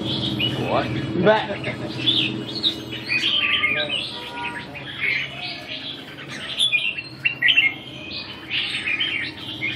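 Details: Red-whiskered bulbul singing during a training session dated 2 June 2012, with a run of quick chirpy, warbling notes and clicks, low human voices mixed in at the start.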